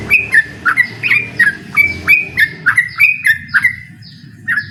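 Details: Yellow-vented bulbul in excited ropel song aimed at a rival: rapid, bouncing liquid chirps, roughly three per second, each a quick downward slur, fading toward the end over a low background murmur.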